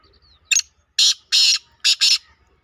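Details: Black francolin delivering a loud, harsh, grating call: one short note, two longer rasping notes, then a quick pair, five notes in roughly two seconds with a low hum behind.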